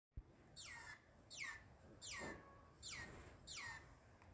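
A green-winged saltator gives five bright, steeply falling whistled notes, one roughly every second, over a faint background hiss.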